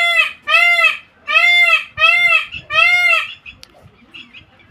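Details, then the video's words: Five loud, nasal, slightly arched calls from a peacock in a bird garden come in quick succession, then quiet with a faint knock and soft background sounds. "peacock voice"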